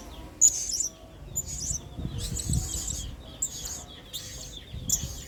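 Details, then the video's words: Repeated shrill, buzzy high bursts from a blue-crowned hanging parrot singing as a training model, each burst about a second apart, with a soft low background rumble. "BURUNG SERINDIT GACOR PENUH EMOSI MAIN SINGA"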